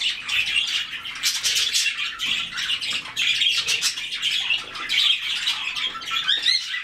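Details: Several white-faced cockatiels chatter continuously, harsh squawks and short chirps overlapping into a dense, unbroken babble, with a few louder screechy notes standing out near the end.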